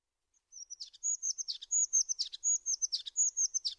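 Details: Tit singing a rapid series of high, thin whistled notes, each ending in a quick downward buzzy flourish, the phrase repeated about four times in quick succession against a quiet background.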